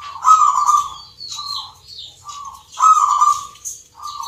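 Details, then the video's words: A local zebra dove at a dove singing contest in Yogyakarta sings soft, rolling coos near one pitch, a long purring phrase followed by shorter notes, repeating about every two and a half seconds. "PERKUTUT LOKAL GACOR, TURTLE DOVE,ZEBRA DOVE, BIRD SINGING"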